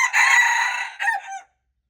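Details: Red junglefowl (txiv lau qaib qus), recorded February 26, 2025: a loud, harsh crow, a long sustained note that drops in pitch, then a short final syllable, ending in silence.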